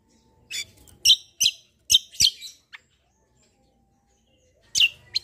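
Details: Black-winged myna in fighting-style song: a run of loud, harsh, sharp chirps, a short silence, then two more strident notes.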